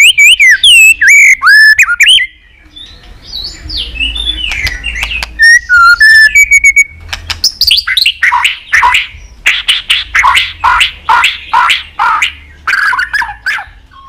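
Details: White-rumped shama song for stimulating pet shamas: rich looping whistles at the start, then varied phrases, and a long run of loud harsh tack notes repeated more than twice a second.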